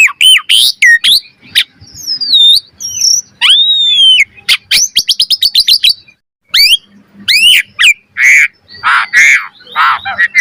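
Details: Asian pied starling, a master recording for training birds to sing with rich variation: varied song of slurred whistles, a rapid rising trill, sharp upswept notes, then a few harsh rasping calls after a short pause.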